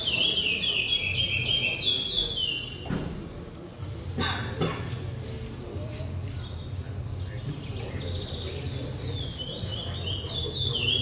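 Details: Chestnut-bellied seed finch (curió) singing rapid high warbled phrases with sliding whistled notes, heard at the start and again near the end, separated by clicks, thumps and a steady low hum.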